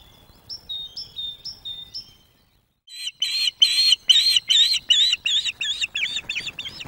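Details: Osprey pair at a Loch of the Lowes webcam nest in May 2024, where the female food-begs to encourage a young male delivering fish. A few short downslurred chirps are followed by a fast series of about eleven harsh whistled notes.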